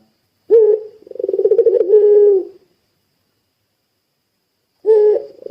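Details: Eager puter pelung dove call, used as a lure for other doves: an abrupt opening hoot, a pulsing purr, a brief steady coo, then a long silence before another hoot starts.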